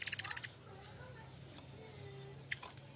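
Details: Murai air mancur used as a lure sound for song training: a brief loud rattle of rapid decaying pulses, then near silence with one short sharp chip later.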